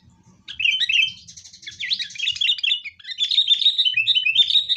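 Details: Sooty-headed bulbul, fighting, used as a lure to get kept bulbuls singing: a nearly unbroken stream of busy, tumbling chatter and slurred notes lasting several seconds, with faint low noise at the start.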